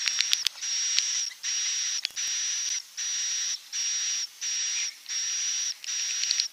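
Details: Edible-nest swiftlet calls used to attract birds to nest: a few sharp clicks, then evenly spaced hissing buzzes with a bright high whistle, each lasting about half a second with short gaps between.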